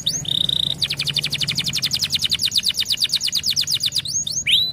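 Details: Canary singing to stimulate other birds: a short steady whistle, then a fast rattling trill of repeated notes lasting about three seconds, ending with upward-curving whistles.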